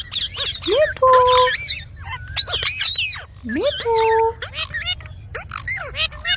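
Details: Talking ringneck parrot producing quick bursts of harsh, speech-like syllables with swooping upward inflections, broken by two short, steady whistled notes.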